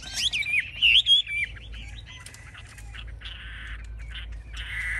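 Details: A caged Chinese hwamei displays with high wings and a fanned tail and is described as a fierce fighter. It opens with a few loud, twisting whistles, then softer, buzzy, rasping notes follow.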